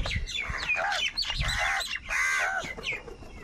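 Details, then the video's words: Crows calling over food, giving harsh, arched caws in quick succession, some slurred and nasal, with short gaps between bursts. "Crow bird unity anger and sound for food"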